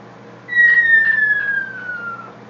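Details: A pet blue-fronted amazon, prompted to "drop the bomb", gives one long clear whistle sliding steadily downward for nearly two seconds like a falling bomb, over a low indoor hum.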